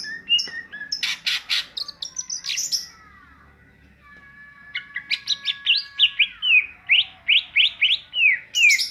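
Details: Ngentrok singing style of a greater green leafbird: quick sequences of loud, high downslurred chirps, near three per second, broken by a brief lull, then a steady repeated series of sharp notes.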